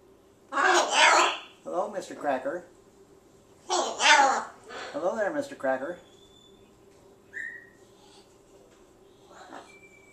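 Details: Presumed male ruby macaw, thirtysomething, living indoors as a pet. Two loud, rasping squawk bursts are each followed by softer, warbling, speech-like chatter, then a brief high whistle, with a person's voice in the room.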